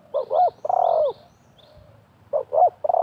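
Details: Wild and decoy spotted doves answering each other during trapping. A full three-part coo phrase is followed by a pause and the start of another, with faint high twitters from other birds.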